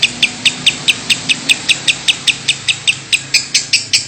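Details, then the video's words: Lovebird coughing ('batuk') steadily: crisp, short high clicks repeated about four times a second, with a faint low hum behind. "Love bird Batuk terus tanpa jeda 9 menit lebih"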